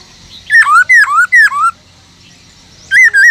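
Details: Bright whistled phrases from a caged Black-throated laughingthrush: three notes that drop then curl upward, a pause, then two wavering whistles. Sung in a forest voice to encourage other laughingthrushes to sing.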